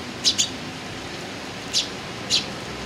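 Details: Eurasian tree sparrow, recorded 6 July 2018: a quick double chirp followed by two single sharp chirps spaced about half a second apart, against a constant hissing background.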